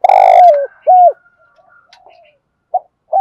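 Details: Dawn cooing of a decoy spotted dove, gáy gọi calling style. A strong buzzy coo with a falling end is followed by a rounded note, then a soft murmur under a thin steady tone. Short new notes begin at the end.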